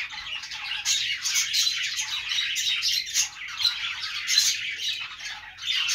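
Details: Budgerigars chirping: a dense, continuous flock chatter of overlapping high twittering and scratchy chirps, with louder bursts about every second and no pauses throughout.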